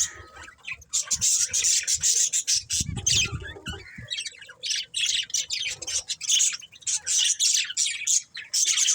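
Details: Budgies chirping in a busy stream of harsh, buzzy high squawks and twitters broken by short pauses, with a burst of low rumbling noise near the middle.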